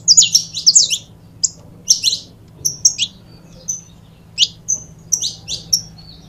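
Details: Scattered high chirps and short downslurred notes from a saffron finch pair, with a few quick doublets at the start and isolated whistled notes after, set against a quiet low hum.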